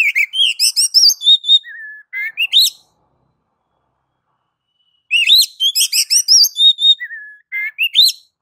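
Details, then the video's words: Oriental magpie-robin in ngeplong song style, a master recording to trigger singing: two long phrases of rapid chirps, clear whistles and upswept notes, with a low whistled note near the end of each. "MASTER DASAR KACER NGEPLONG MEMANCING KACER AGAR CEPAT BUNYI GACOR Birds Song Kacer"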